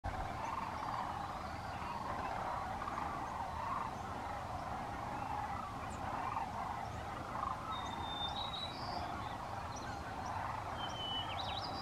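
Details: Sandhill cranes with ducks flying back to a California refuge to rest for the night at sunset, filmed on an iPhone: a dense, unbroken chorus of rolling, rattling calls, with thin high whistles and chirps above.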